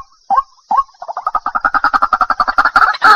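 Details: White-breasted waterhen: two separate short notes, then a fast series of pulsed, croaking calls that speeds up and grows louder toward the end.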